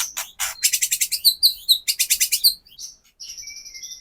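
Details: Song of the white-rumped shama used to stir caged birds to sing: rapid series of scratchy, buzzy high notes with sharp chips, ending in thin sustained high whistles.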